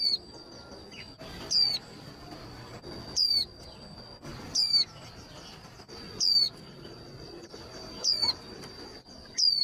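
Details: Repeated high descending whistles of a female white-eye, played to fire up males to sing fast for contests, spaced about every 1.5 to 2 seconds, with a persistent high-pitched whine and faint low rumble behind.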